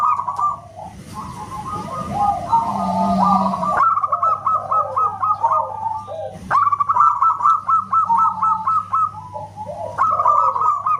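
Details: ['Loud whistle-like song of a local zebra dove, or perkutut: quick chains of short bright notes at a steady pitch, repeated in bursts, overlapping lower wavering phrases, with one sharp tap partway through.']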